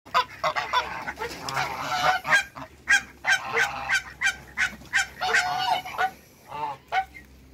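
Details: Domestic geese, African and Toulouse breeds kept in a backyard, honking in a rapid, irregular series of harsh, nasal calls, roughly three per second, several birds overlapping with short gaps between bursts.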